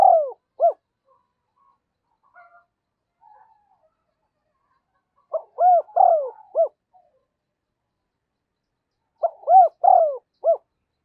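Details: Decoy spotted dove cooing to bring wild doves in: loud three- to four-note hollow coo phrases repeating roughly every four seconds, with near silence and faint murmurs between.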